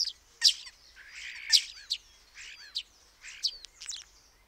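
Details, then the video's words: Common starling (Sturnus vulgaris) giving loud squeaks, harsh rasps and quick clicking notes in a jumbled, scratchy series of bursts less than a second apart, mixed with short slurred whistles. "The call of the Common Starling - Bird Sounds to recognize the Common Starling"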